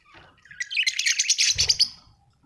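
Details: Budgerigar chirping: one continuous, rapid warbling chatter of bright, buzzy notes lasting about a second and a half, ending with a brief low thump.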